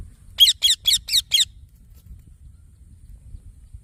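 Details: A green baby parrot gives five rapid, grating chirps in under a second before falling silent, leaving faint low hum.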